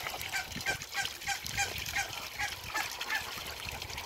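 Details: Calls from a group of four ducks and three Pekin ducks as they meet. Short, nasal, honking quacks come in quick irregular runs over a steady hiss and faint low thumps.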